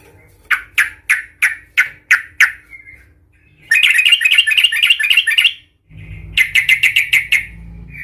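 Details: Yellow-vented bulbul giving an aggressive, agitated 'cuk cuk' fighting call meant to provoke other bulbuls: a run of sharp, evenly spaced chuk notes, then a dense, fast harsh chatter, a pause, and another quick burst of chuks over low background hum.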